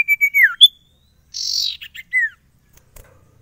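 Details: Sirtu bird song: a few whistled notes end in a falling slur and a sharp upslurred note. A harsh buzzy burst follows, then another short downward-sliding whistle.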